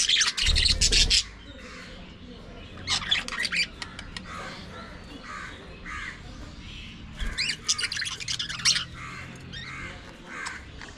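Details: Budgerigars, several together, burst into harsh squawking chatter at the start, then quieter warbles, and a second noisy outburst of scratchy calls late on.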